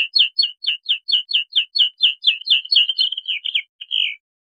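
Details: Song of a Bluethroat: about a dozen crisp, identical ringing notes repeated rapidly and evenly, then run together into a fast trill that finishes on a short buzzy note. The recording is clean, with nothing else heard.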